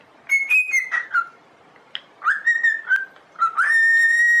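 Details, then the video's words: Domestic cockatiel's whistled song for singing training: a descending whistled phrase, a pause, then upward-sliding notes leading into a long, even, sustained whistle with strong overtones. "Training Cockatiel to singing"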